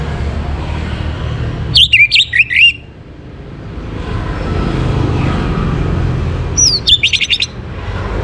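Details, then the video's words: Morning song of an Orange-headed thrush, used to stimulate breeding condition: two short bursts of rapid, slurred whistles sliding downward, separated by about four seconds of low, droning background noise. "Naikan Birahi ANIS MERAH pancingan PAGI HARI"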